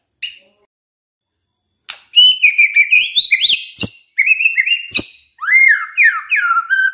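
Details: Used to spur other shamas into full song, this white-rumped shama delivers clear whistled phrases with rising and falling slides, broken by sharp clicking snaps, after a short opening note and a pause.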